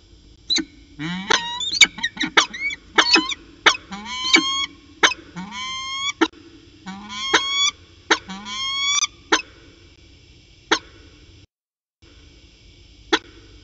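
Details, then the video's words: Peregrine falcon pair calling back and forth at CSU Orange on a long afternoon, 13 January 2019, around 4:19 pm; quick series of harsh, rising, strongly harmonic wails mixed with sharp ticking clicks, a steady hum underneath. "Peregrine Falcon Long Afternoon Discussion"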